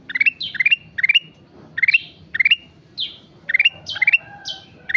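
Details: Black-capped bulbul in lively song, repeating brisk phrases of stepped rising chirps that end in a sustained whistle, alternating with clear falling whistles. Phrases come in quick succession, about two per second at times, against a faint low background hum.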